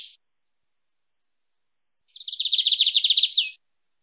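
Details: Lined seedeater singing in the wild-type 'mateiro' style, suited to training or warming up a pet bird: a brief high note, a pause, then a rapid fast-repeated series of high chirping notes ending in a sharp downward-sweeping whistle.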